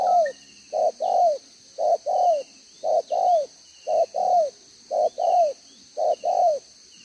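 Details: Wild-type spotted dove used as a decoy, two-row bead collar, singing the one-ending 'gáy 1 hậu' pattern, 11 June 2023: brief note then a longer coo that bends downward, six regular pairs, faint high bird calls behind.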